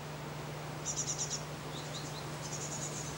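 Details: Great tit in spring in a residential garden, gathering food for its young, gives thin, very high notes in quick runs of about five, with a few lower single notes between, over a steady low hum.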